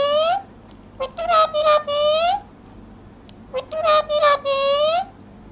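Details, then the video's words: Parrot talking: two bursts of harmonic, speech-like calls, each a rising drawn-out note followed by a quick string of clipped syllables and a long wavering note, separated by about a second of quiet. "Parrot Voice | बोलने वाला तोता | तोते की आवाज |Tota ki awaz"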